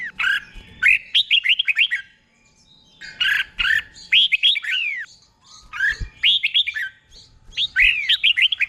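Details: Red-whiskered bulbul kept as a tutor bird for training caged birds, singing doubled phrases: five loud bursts of fluty, up-and-down whistles, each about a second long, separated by short gaps.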